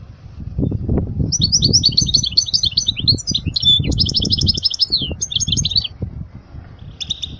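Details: European goldfinch singing to teach young goldfinches, a long rapid stream of tinkling, twittering high notes lasting several seconds, with steady low rumbling noise underneath.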